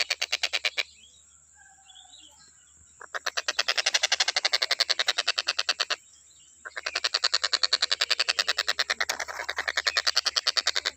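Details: Nonstop stork-billed kingfisher calling, used as a tutor for songbirds: long runs of rapid harsh notes separated by two brief silent gaps, with a thin steady hum in the background.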